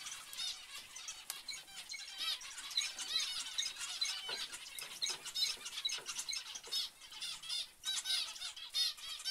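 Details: Chattering zebra finches: rapid, squeaky nasal notes in irregular bursts, some louder calls standing out from the overlapping flock.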